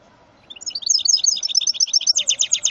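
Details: A hybrid from a male goldfinch and a female canary sings a fast, high, continuous twittering song of bright chirps and trills that grows louder after a quiet start.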